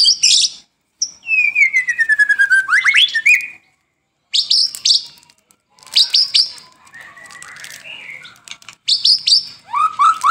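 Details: White-rumped shama song used as lure and tutor recording for caged birds, morning and evening: bursts of high buzzy notes, a long descending whistle, rapid chattering trills and rising whistles separated by brief pauses.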